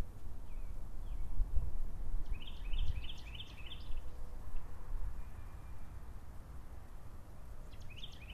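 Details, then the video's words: An American goldfinch gives a quick run of five bright chirping notes, then a shorter burst near the end, over a steady low rumble of wind or distant traffic. "American Goldfinch"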